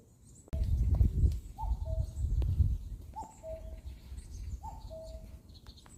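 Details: Common cuckoo calling in a forest; a soft two-note cu-coo, higher then lower, repeated three times about every one and a half seconds, over loud low rumbling noise and faint distant birds.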